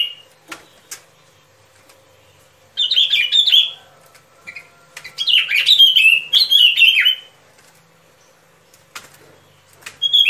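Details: Trapping-lure recording of a sooty-headed bulbul: a clear phrase of jumbled descending whistles, a short pause, then a longer chattering run of slurred notes, with a brief snatch at the end and a faint hum throughout.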